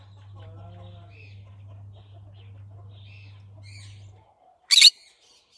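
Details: Soft low chattering and a background hum, then a single sharp, raspy screech from a green-cheeked conure near the end, followed by the start of another.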